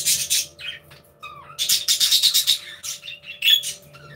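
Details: Budgies in an aviary chirping and interacting: dense, raspy warbling chatter with pulsing scratchy notes and a few brief whistles, loud and almost continuous across a few seconds.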